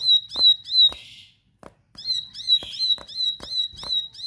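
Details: Bar-winged prinia delivering its insistent fighter-style song: bright, clipped high notes repeated roughly three times a second, a brief pause midway, a soft hiss and sharp clicks between notes.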